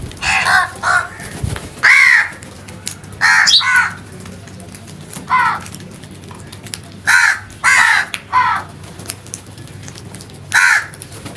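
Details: Crows calling loudly in a natural setting: hoarse, harsh caws given singly and in quick pairs or triplets, about a dozen across the stretch, separated by short pauses, over a low steady background hum.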